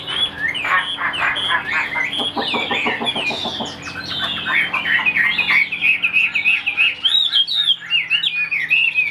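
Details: Caged Chinese hwamei in full song on a cloudy day: a chattering volley of fast, repeated clipped notes that gives way to a long string of ringing, warbled whistles.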